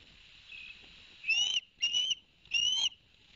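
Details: Osprey calling at a Barnegat Light live nest cam, 11 September 2021, as the male delivers two fish to the young; three piercing upslurred whistles spaced about half a second apart over soft hiss.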